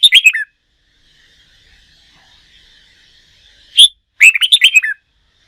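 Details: Red-whiskered bulbul, a wild-caught bird being trained for contest singing, gives a short bubbling phrase, then a single sharp note and a longer run of rapid, liquid warbled notes.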